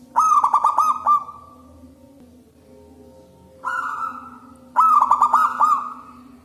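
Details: Loud local wild zebra dove song used for luring doves: a quick run of staccato coos, a pause, a short smooth coo, then another fast run of stuttering notes; steady low background hum.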